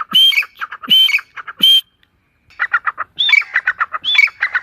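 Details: Partridge (teetar) in forest: three loud, harsh high-pitched phrases in quick succession, a brief silence, then softer rapid clucking pulses building back into more ringing, descending calls.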